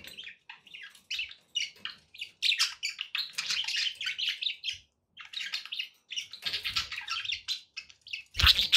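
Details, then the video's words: Pet budgerigars in steady, busy warbling chatter, a rapid run of high chirps, clicks and buzzy notes with brief gaps, ending in a louder harsh squawk. "budgie sounds for pet parakeets to make tham happy"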